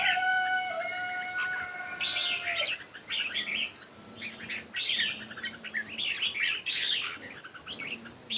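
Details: Red-whiskered bulbul morning contest singing. A steady held tone sounds at first, then gives way to repeated bouncy whistled phrases separated by short pauses.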